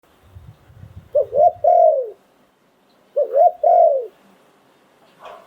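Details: Spotted dove decoy bird from Thailand, singing in the 'sai phon liw tan' style. Two cooing phrases, each two quick rising coos and a long falling croo, about two seconds apart. Soft low rumbling precedes the first phrase.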